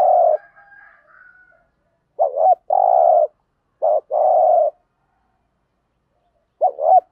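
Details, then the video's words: Spotted dove coo to encourage decoy doves to answer; repeated phrases of a brief wavering note plus a long steady coo, separated by short silences, ending on a new phrase's opening notes. "tiếng chim cu gáy kích bổi hiệu quả mỗi ngày. bổi nghe gáy theo"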